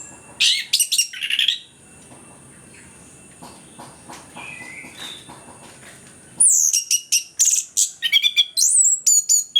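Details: Vigorous orange-headed thrush (anis kembang) song used as a lure to stir lazy birds into singing; rapid loud bursts of high chattering whistles, a quieter stretch with soft notes, then a long dense run of quick varied phrases.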